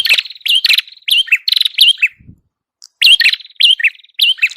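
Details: Prenjak kepala merah, a red-headed prinia, singing a lively lure song: rapid clusters of bright chirps with buzzy trilled tails, repeated many times with a brief pause midway.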